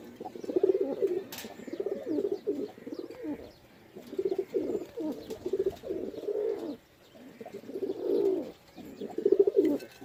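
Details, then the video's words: Pigeon cooing, heard as low rolling guttural coos repeated in short bursts with brief gaps, continuous throughout, slightly roomy sound. "Pigeon Sound"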